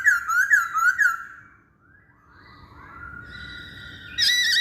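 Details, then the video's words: Masked laughingthrush song used for luring birds: quick wavering whistles repeated about twice a second for a second, then fading into softer drawn-out whistled tones over a low hum, ending in a sudden loud note. "Burung Poksay Hongkong Gacor"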